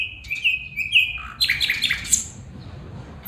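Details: Calling female bulbul gives two short, level, bright notes, then a dense, harsh burst of chattering chirps, followed by quiet.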